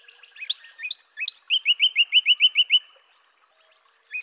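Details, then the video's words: Cardinal song made of a few climbing whistles, then about nine clear, evenly spaced slurred notes repeated quickly before it falls silent. "أصوات كاردينال"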